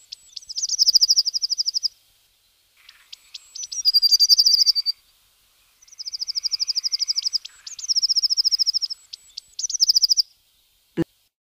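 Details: Eurasian blue tit, recorded 10 March 2018, giving four bursts of a high, fast, ringing trill, each under two seconds, some opening with thin high notes; a single thump at the end.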